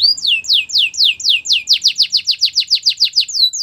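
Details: Canary song used for training: a run of loud, evenly spaced whistles, each sliding sharply downward, repeated about three to four times per second and quickening toward the end.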